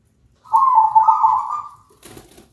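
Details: Lure recording of a zebra dove singing loudly and melodiously to draw other zebra doves into song: a single rolling, trilled coo lasting over a second, then a brief rustle or clatter.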